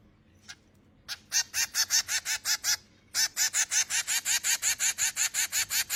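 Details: Baby finches beg with rapid, grating buzzy calls that repeat in quick regular pulses, a brief pause midway before the harsh series resumes at full strength.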